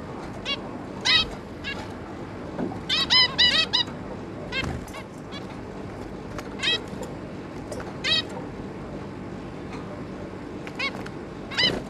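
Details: Zebra finch family of two adults and three juveniles, recorded 11 May 2022: short nasal, honking calls with bright harmonics, given singly and in quick bursts of two or three, scattered irregularly over a low background hum.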